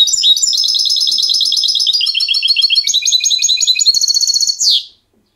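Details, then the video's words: A trained European goldfinch kept for song sings a clean, fast, tinkling run of liquid twitters and bright chirps, ending in a short buzzy trill, with no other sounds. "Jilguero educado"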